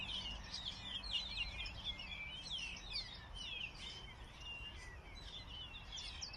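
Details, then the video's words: Morning birdsong from several birds at once. Overlapping high whistles, trills and quick chirps run continuously and tangle together. A steady low background noise and hiss sit beneath the chorus. "In the morning, the sound of birds singing"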